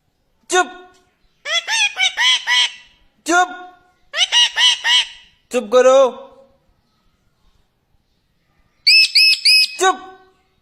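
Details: Indian ringneck parakeet talking, said to say "chup karo": a run of short harsh nasal syllables in bursts, some grouped in threes and fours, with squeaky high calls near the end and background music.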